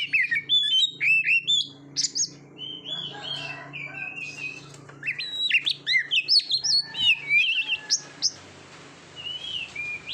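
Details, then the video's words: Training recording of Oriental magpie-robin song for contest birds, with quick bursts of sharp, clear whistled notes and chattering phrases, a quieter stretch in the middle, then dense varied phrases and a falling whistle near the end, over a low background hum. "SUARA KICAUAN BURUNG KACER TERBAIK, PART 68 - MASTERAN KACER - KACER GACOR - PANCINGAN KACER"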